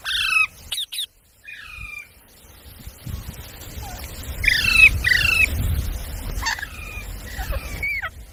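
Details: Parrot with a few loud, sharp squawks at the start, then scattered falling whistled notes over steady low rumbling background noise.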